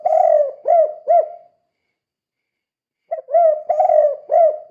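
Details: Spotted dove in 'kuk 2' calling style, played to lure other doves into calling: the end of a loud, hollow coo phrase with three arched notes, silence, then a fresh run of five low coos.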